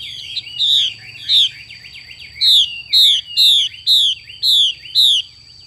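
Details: Female Chinese hwamei calling xùy: a series of about eight loud, rasping, downslurred notes repeated roughly every half second, with a few softer twitters between them. A constant thin whine sounds underneath.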